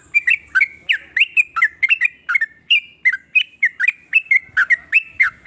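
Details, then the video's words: Trucukan, the sooty-headed bulbul, in varied song reputed to make rival bulbuls sing along; dense lively burst of short bubbling, slurred whistled notes with little pause throughout. "ber macam" suara trucukan ini bikin trucuk lain iri jadi langsung ikut bunyi"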